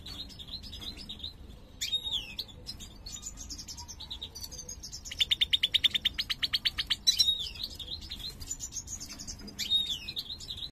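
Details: Caged European goldfinch, major form with a CB mutation, singing: repeated high twittering phrases with downslurred notes, a central rapid pulsed trill, then more twitters.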